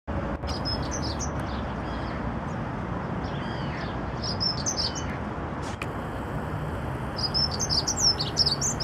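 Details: Dunnock singing in the garden of Notre-Dame cathedral, Paris: short high, thin warbling phrases in bursts near the start, middle and end, over steady low city traffic rumble.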